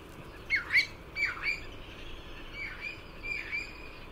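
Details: Bristle-thighed curlew, known in Hawaii as the Kioea, on its Pacific island wintering ground: two clear, swooping whistled notes dipping and rising, then two fainter ones, over a steady rushing background noise.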